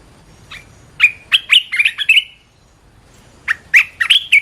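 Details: Red-whiskered bulbul giving two lively bursts of rich whistled, slightly rolling notes, each phrase of about five quick notes, separated by a short silent gap; clean recording without other sounds.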